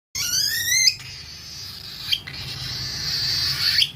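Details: Cockatiel (Nymphicus hollandicus) chick begging during hand-feeding, sounding happy after being given puree: a harsh, raspy begging call opening with a few rising squeaky notes.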